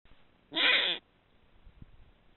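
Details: A female Eurasian eagle-owl (Bubo bubo hispanus) in breeding season calls to her mate at night during courtship, after the male has marked territory: one harsh, hoarse, rasping half-second call, then quiet with a few faint low thumps.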